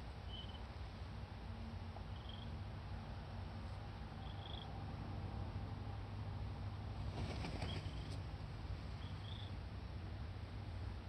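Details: Red-crowned crane chick at Akan International Crane Center, 31 August 2020: short high peeping whistles every one to two seconds over a steady low rumble of wind or engine noise.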